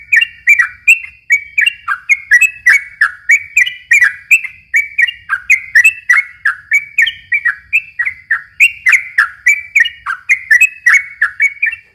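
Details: Twelve seconds of dense, nonstop yellow-vented bulbul song used to lure young birds: rapid bubbling whistled notes rolling up and down in pitch, about three per second, with sharp high clicks and a faint low hum.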